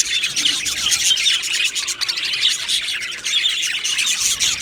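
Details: Australian budgerigar colony in an aviary, the flock twittering continuously with soft warbling chirps and scratchy notes layered into a dense high chorus.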